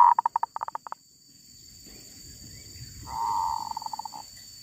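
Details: Female zebra dove in the wild: a rapid staccato string of short coo notes, a brief low rumble, then a longer drawn coo that tapers into quick stuttering pulses.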